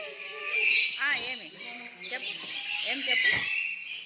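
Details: Several pet parrots having fun together, giving harsh raspy screeches mixed with quick chirps and warbling chatter throughout, with a human voice talking alongside.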